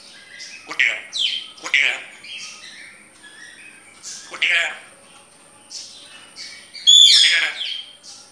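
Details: Grey parrot talking in clear speech-like bursts mixed with whistles, chirps and a loud squawk near the end, with pauses between phrases and a thin steady high tone behind.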